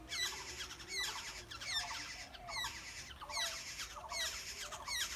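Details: Black-hooded oriole chicks in the nest begging as they are fed by the yellow parent birds: harsh, raspy squawks in quick bursts of two or three notes, repeated roughly every half second to second, steady and insistent throughout.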